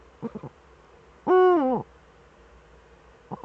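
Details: A Eurasian eagle-owl pair sharing the nest hollow, webcam recording from 6 March 2013. A single drawn-out, rich, harmonic call slides slowly downward. Brief low stuttering notes come before and after it against faint background hum.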